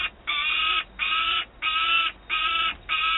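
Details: Well-fed young peregrine falcon screaming near an adult with prey, Wałbrzych, Poland, 27 August 2022. Five hoarse, drawn-out screams in a steady series, about half a second each, separated by brief pauses.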